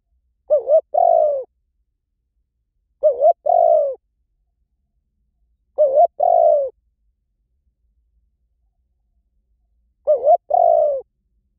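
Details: Spotted dove decoy call: four phrases at uneven spacing, each a brief wobbling note and a longer smooth coo that drops slightly at the close, separated by silence.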